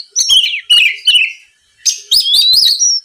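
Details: Oriental magpie-robin lure song for stirring rival birds to answer: three or four quick descending whistled slurs, a short silence, then a harsh burst leading into a long wavering rising whistle.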